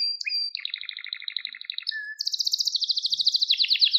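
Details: Canary song used to train and excite young birds: short whistled slides, then a rolling run of lower double notes, a brief whistle, and a loud fast trill that quickens toward the end.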